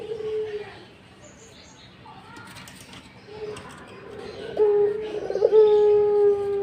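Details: Barbary dove in breeding mood: quiet faint notes at first, then a loud rolled stutter leading into a long steady low coo near the end, over soft background murmur.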